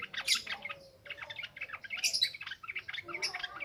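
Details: Yellow-vented bulbul in ngropel ngalas style, a nonstop wild-type song, used as a lure for training untamed bulbuls. Dense bursts of bright chirps and short warbled notes, several overlapping, with sharp high flicks near the start and middle.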